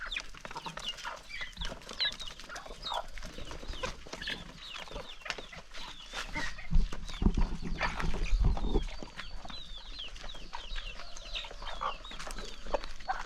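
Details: Chickens excitedly gathering at morning feeding, a flock pecking in a calm countryside setting; irregular clucks and high chirps over a busy bed of pecking and scratching noise.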